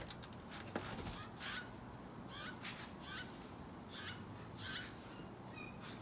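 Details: Steller's jay fledgling calling: harsh, raspy broadband squawks given in loose succession about once a second, fairly distant against a steady low background hum.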